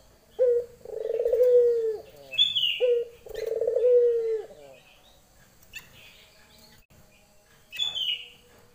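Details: Calling to a male, a female Barbary dove gives two lenjeh-style coos in quick succession, each a short note plus a rolling purr. High chirps from another bird are scattered between and after the calls.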